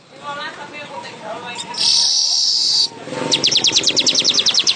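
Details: Weaver song heard after murmuring and a loud buzzy hiss: a rapid series of clipped, high ticking notes repeated in a quick even rhythm for about a second and a half.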